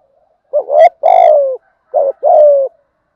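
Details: Spotted dove giving a methodical thúc gù cooing in a deep thổ-style voice that suits wild doves: a short wavering double note, then a long, low, slightly falling coo, heard twice with a brief pause between phrases.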